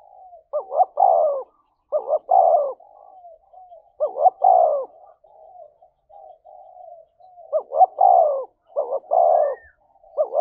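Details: Fast cooing from a spotted dove decoy meant to goad a rival into a fight, thổ-voice style: five clipped two-note-plus-long-coo phrases, with low soft hums filling the gaps.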